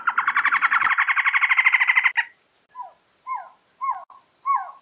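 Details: Trogon's rapid buzzy chatter with a high thin overtone runs for two seconds, followed by four well-spaced, slurred, falling notes about a half second apart.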